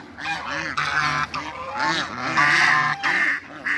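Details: African geese, a group of seven on a waterbird farm in Greece: repeated brassy, nasal honks overlapping from several birds, some calls rising and falling, a faint human voice possibly mixed in.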